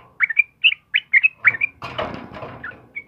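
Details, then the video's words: Sooty-headed bulbul, the trucukan kebo type, singing in the morning: several quick liquid whistled phrases, then a loud rustling or flapping noise that half masks the song, ending with one thin whistle. "suara burung trucukan GACOR PAGI HARI"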